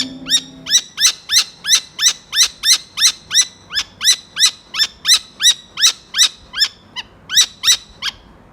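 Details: Falcon, tagged as a saker and Arabian, gives a fast run of about twenty harsh, high, rising notes, roughly two to three a second; a brief low hum sounds at the start.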